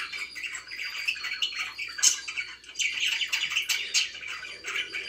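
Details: Indoor pet budgerigars warble and chirp in a continuous scratchy chatter, with a sharp high squeak standing out partway through.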